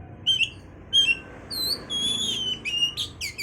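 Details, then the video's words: Short whistled phrases open this oriental magpie-robin song meant to trigger breeding condition, building into a sustained, wavering high whistle and then quick, twittering notes. "pancingan suara Kacer untuk mendongkrak birahi"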